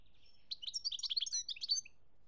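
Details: Song of a European goldfinch recorded in Algeria, 2017: one short, dense phrase of high, jangling twitters and quick chattering notes lasting under two seconds, ending with a soft slurred note, against a quiet background.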